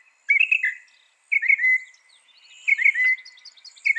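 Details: Northern mockingbird song: repeated short warbled phrases of slurred whistles, each about half a second long, spaced by pauses, with faint high notes behind.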